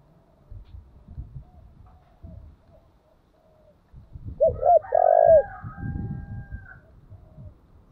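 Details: Decoy spotted dove calling over low rumbling background noise. Two brief coos lead into a longer throbbing coo. A fainter, higher drawn-out tone overlaps the phrase.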